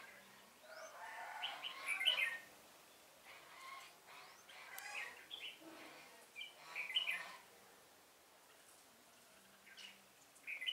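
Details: Red-whiskered bulbul used as a lure for trapping, 1 November 2017: short, bright warbled phrases come in separate bursts every few seconds, with quiet gaps and a faint low hum between them.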